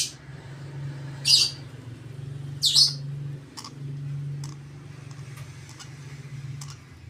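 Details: Lovebird chick, 32 days old, being hand-fed indoors; two loud rasping begging squeals a second apart, then faint clicks, over a steady low hum.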